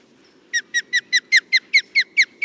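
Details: An osprey gives a quick series of ten sharp, whistled, downslurred notes, about five per second, growing louder midway, over a faint low rumble.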